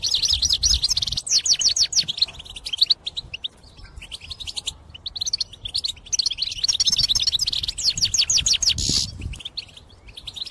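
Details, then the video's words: Goldfinch belting out song for trapping use: long rapid sequences of liquid twitters and rising and falling trills, pausing briefly midway, then resuming with equal force. "غناء مقنين يهز السلاكة من شدة الغناء مخصص للصيد"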